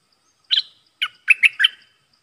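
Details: Decoy red-whiskered bulbul kept caged to attract wild birds: a brief series of four sharp, warbled chirps, the last three clustered closely together, against a quiet background.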